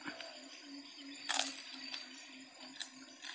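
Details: Only handling clicks, a sharp crack and a low steady hum are heard, with no animal voice.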